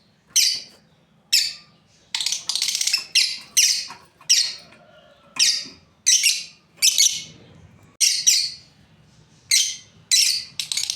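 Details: Lovebirds, a breeding pair, calling in sharp raspy chirps repeated about once a second, some doubled, over faint low indoor background noise.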